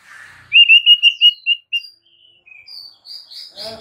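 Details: Murai batu, or white-rumped shama, giving masteran song meant to trigger a reply from other shamas: a quick string of about eight clear whistled notes on one pitch, then softer slurred whistles rising higher, ending in a rasp.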